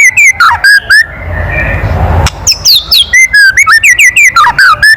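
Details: White-rumped shama giving a loud kretekan call meant to provoke other birds: short, sharp whistled notes with harsh overtones in quick bursts, a brief noisy pause, then a faster run of rising and falling chips.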